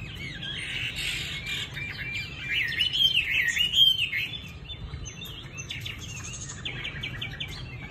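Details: Caged Chinese hwamei from Hanoi, Vietnam, pouring out a fast, jumbled warble of high whistled notes and chirps. The song swells louder in the middle, then eases into quieter chattering phrases.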